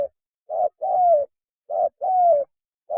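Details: Spotted dove mating call from a lure recording, low mellow coos in pairs, a short note leading into a longer hoot that slides downward, repeating about every second and a half.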